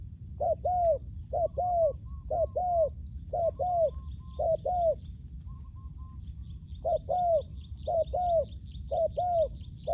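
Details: Spotted dove recorded for decoy-luring wild doves: low, mellow paired coos, each a short note then a longer arched one, repeated in steady runs about once a second with a brief pause midway; faint thin high chirps from other birds and low background rumble.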